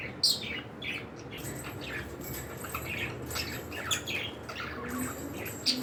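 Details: Pet cockatiels in a room calling with scratchy, high squawks scattered irregularly throughout, a sharp loud note at the start and another at the end, with steady faint background hiss.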